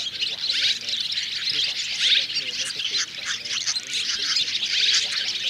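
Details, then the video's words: Three kinds of swiftlet and swallow, white-bellied, striped and grey-brown, calling together to draw the flock in to roost; continuous high buzzy twittering chorus, with low human speech faintly beneath. "Tiếng ÉN GỌI NGỦ 3 LOẠI Én bụng trắng , én khoan rằng én mốc kết hợp ru ngủ lùm cả bầy"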